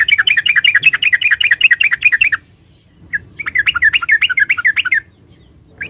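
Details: Yellow-vented bulbul, the trucukan of Java, pouring out two dense bursts of rapid, chattering bubbly notes separated by a pause of about a second, with faint low background hum.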